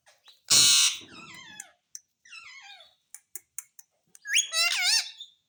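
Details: Pet parrot, kept indoors, in a recording described as saying mummy and papa: a harsh screech opens, then a series of wavering, descending whistled notes and a final warbling rising-falling phrase, with faint clicks between.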